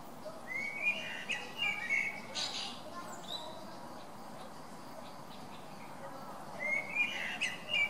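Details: December 17 blackbird song from a bird that never repeats himself: fluty whistled phrases with scratchy high flourishes early on, a long pause, then another whistled phrase with squeaky endings, faint background rumble.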